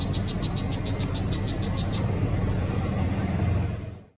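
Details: Mekong River riverside in Chiang Rai, Thailand, 5 February 2017, Nikon CoolPix P900 recording: a brown shrike gives a fast series of about eleven sharp, high chak notes over two seconds, against continuous low rumble that fades at the end.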